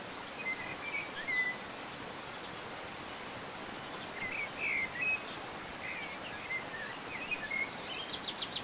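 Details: European stonechat recorded in the Montes de León, León, Spain, in May 2019, giving short, thin whistled notes, scattered singly and in small clusters every few seconds, over a steady hiss like rain or wind.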